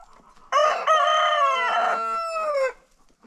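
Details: Rooster on a farm, crowing in a daily after-breakfast contest among roosters: one long, harmonic crow of about two seconds, rising then holding and falling off at the end.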